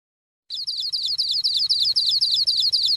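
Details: Sogon trotol, a sunbird, used as a lure to get a bird singing quickly: a rapid high, thin, continuous trill of short chattering notes repeated without pause for over two seconds, clean background.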